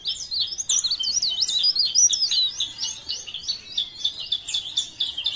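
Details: A cikrak daun (leaf warbler) from Parepare sings blereng gacor: a steady, unbroken stream of high, wavering, zigzag whistles delivered quickly and evenly.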